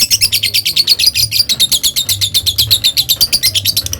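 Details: Lovebird giving long ngekek chatter, meant to provoke rival birds: a rapid, even run of high, harsh chattering pulses, about six each second, continuing without a break. A low hum sounds underneath.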